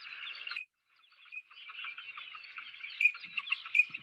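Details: Wintering teal in South Carolina: the hen gives a high, squeaky chatter of quick notes, like a tiny squeaky mallard, and the male adds a couple of sharper whistled peeps near the end.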